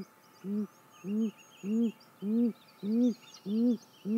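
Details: A female great grey owl at her nest at 6:19 am on 28 May 2017 gives seven soft, low, arched whoop notes, about one every 0.6 seconds, while small songbirds chirp faintly in the background.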